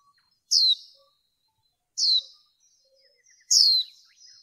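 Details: High, thin, falling call notes of a female white-eye used to stimulate males in training. Three notes come about one and a half seconds apart over near-silence.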